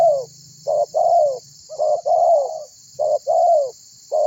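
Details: Spotted dove, a lively caller, calling to draw other birds into calling. Its low, hollow coos come as short clipped notes, each followed by a longer falling coo, in repeated phrases over a steady high hiss.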